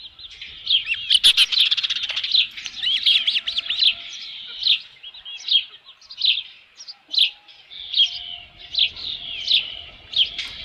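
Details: Osprey calling at its nest beside a headless fish, Dunrovin Ranch, 27 June 2018, 12:48 PM. A dense, excited burst of high whistled chirps opens, then the calls settle into evenly spaced single sharp notes.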